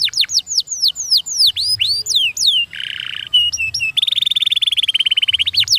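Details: Canary song of varied downslurred whistles and sharp high notes, a short burst of harsh buzz, then a fast, even rolling trill to the end.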